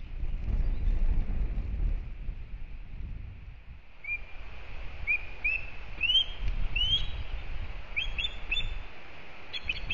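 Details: Osprey at a nest in Kurzeme, Latvia, on May 31 with its newly hatched first chick; a series of rising whistled chirps that grow quicker, higher and louder, over low wind rumble.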